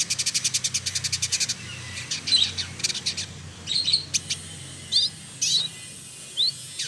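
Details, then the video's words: Village indigobird, a male trotol from Bandung, West Java, Indonesia: a rapid buzzy rattle of about fifteen notes, then spaced chirps and thin rising whistles scattered over several seconds. "Burung Masteran Village Indigo Trotol Gacor"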